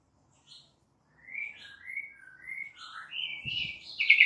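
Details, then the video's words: Quiet White-rumped shama song for luring a young wild-caught bird into free singing: soft sliding whistled notes at varied pitches, ending in a louder sharp trill. "Memancing murai batu MUDA HUTAN dan LEPAS TROTOL agar GACOR NGEPLONG"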